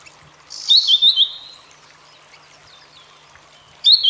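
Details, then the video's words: Grey-headed canary-flycatcher from Asia singing a bright, high, rapid trilled phrase of several slurred notes, followed after a pause by the start of another phrase. "Grey Headed Canary Flycatcher Singing"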